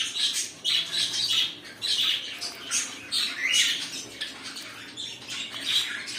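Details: Household cockatiels giving rasping, screechy squawks in quick, uneven bursts roughly every half second, several birds overlapping in continuous chatter.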